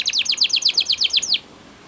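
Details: Brief canary phrase for song training: about a dozen quick downward-sweeping whistled notes in even rhythm, ending suddenly with light background hiss.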